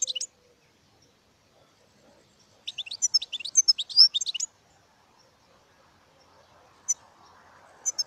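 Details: European goldfinch singing one lively phrase of quick, jangling high notes and twitters about two seconds long, with a few isolated chirps before and after and a faint rustle late on.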